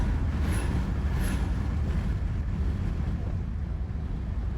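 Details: Steady wind rumble and low vehicle-like drone fill the recording, with no animal calls.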